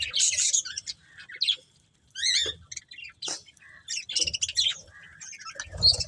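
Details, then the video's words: Budgie breeding pair chirping in sparse, separate bursts: squeaky high chips, quick downward-slurred notes and short raspy calls, with quiet gaps between. "Colourful Budgies Chirping Sounds"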